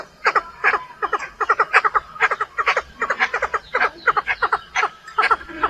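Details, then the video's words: A Chinese francolin gives a standard decoy (lure) call, loud and harsh, with quick clusters of three or four grating notes repeated about twice a second, over a quiet background hiss. "tiếng đa đa mồi đánh chuẩn"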